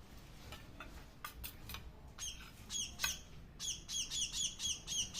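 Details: A hungry pet bird squawks while being fed by hand, building into a fast, steady series of shrill, downward-bending begging notes after some clattering.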